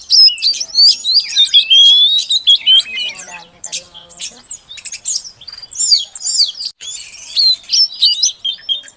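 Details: Oriental magpie-robin female calling to a male to prompt him to sing: loud sweet whistled phrases mixed with harsh scratchy chatters in irregular bursts, with short pauses between groups.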